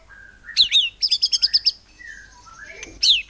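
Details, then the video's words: White-rumped shama giving 'nembak cungkok cililin' song meant to provoke other birds into song: a couple of steep downslurred whistles, a short rattle of high repeated notes, then quiet low whistles and another swoop. "Murai Batu Nembak Cungkok Cililin ini AMPUH Memancing Burung Lain Jadi GACOR"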